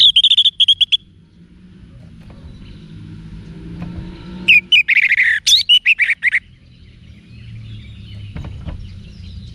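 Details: Orange-headed thrush (anis merah) giving wiksar song to spur caged birds to respond: a short buzzy opening, a pause, then a fast burst of loud descending slurred whistles and chips, with faint low rumble behind.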